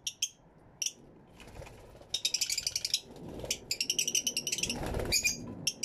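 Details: Fischer's lovebirds in an aviary with many lovebirds give rapid bursts of shrill, high chattering chirps, several per second, with brief pauses between runs.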